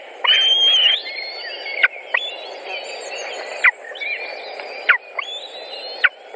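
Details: At a Latvian white-tailed eagle nest in June 2019, with prey brought and chicks being fed: drawn-out high whistling notes ending in sharp downward slurs, about four in six seconds, with faint higher peeps.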